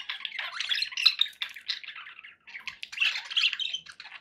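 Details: Budgerigars kept as pets give a busy warbling chatter of raspy chirps and squeaks, with a brief lull midway before the chattering picks up again.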